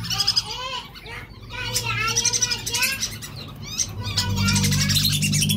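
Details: Lure recording of a male whistling duck: repeated arched whistles, about four per second, over sharper high chirps, with a low steady hum underneath.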